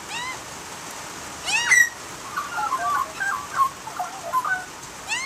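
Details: Australian magpie singing, with rising harmonic squeals at the start and again near two seconds. Then comes a chattering, bubbling sequence of warbled mid-pitched notes, and a last rising squeal closes it.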